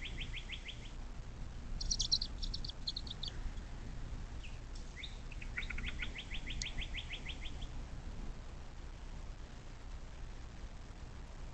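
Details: Bald eagle at a nest along the Little Miami National Wild & Scenic River near South Lebanon, SW Ohio, USA, nest cam, 06.04.2024 at 17:23: rapid runs of high piping notes, about ten in quick succession, plus other high chirps over low rumbling background.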